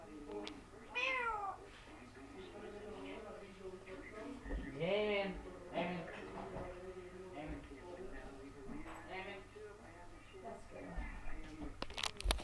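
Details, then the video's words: Talking parrot calling out "Mom", "hello" and "Bye Bye" mixed with crazy noises: a long string of arching, harmonic, voice-like calls of varying pitch, some loud swoops, a low hum, and clicks near the end. "Parrot shouts Mom, hello, Bye Bye and making crazy sounds"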